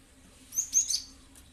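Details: Cinereous tit, locally gelatik batu, as a lure sound: one brief, soft cluster of three thin, very high chirps.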